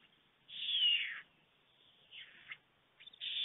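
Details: Two white stork chicks on a nest in Fohrde, Germany, at 3:58 pm on 28 July 2019 give hoarse, hissing begging calls as a parent visits without food. One long wheezy burst is followed by a few shorter rasping ones after a pause.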